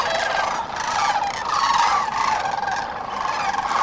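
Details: Sandhill cranes at dawn on the Cosumnes River, a dense chorus of many birds giving overlapping rolling, trumpeting calls that swell and fade continuously with no gaps.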